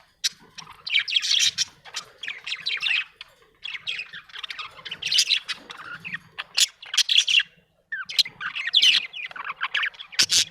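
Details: Happy budgerigar chatter of harsh squawky chirps and rasping warbles, delivered in uneven bursts with brief silences over about ten seconds.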